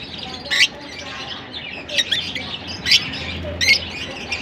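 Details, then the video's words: Lovebirds at Larkana give loud, harsh, high chirps roughly once a second, irregularly spaced, over a low bed of soft flock chatter. "Lovebirds sing Sweet Serenades"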